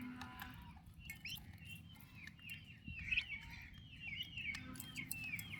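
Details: Active turkey chicks beside their mother cheep in thin, falling peeps, sparse at first and then denser in a run over the final two seconds. A low background rumble continues throughout.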